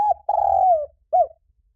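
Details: Spotted dove cooing, used as a fast-acting lure to stimulate birds for trapping: a short low coo, then a long steady coo sliding down at the end, then a brief falling final note.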